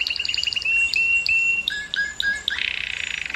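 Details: Canary song meant to stimulate females to breed: a string of quick chirps, then long clear whistled notes with short upward flicks, ending in a buzzy rolled trill.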